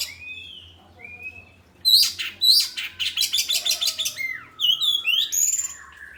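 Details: Kacer, the oriental magpie-robin, sings a varied song, its style asked as 'ngeplong' or 'materi': a soft rising whistle, then loud rapid chattering notes repeated in a fast series, followed by high sweeping whistles.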